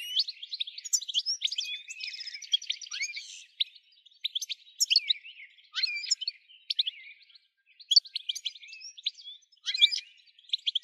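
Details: European goldfinch singing, played to stir other goldfinches into continuous song; fast twittering of sharp high chirps and tinkling notes in bursts, with brief gaps between phrases.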